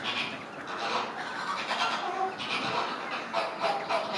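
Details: A flock of Chilean flamingos displaying in sync gives a dense, overlapping chorus of nasal, goose-like honks and gabbling, with several calls each second and no break.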